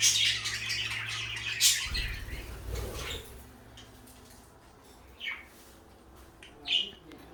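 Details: Two pet parakeets, one blue and one light yellow, kept together as companions; bright high chirps and twitters crowd the first two seconds, a dull low thump follows, then only two short isolated chirps break the quiet.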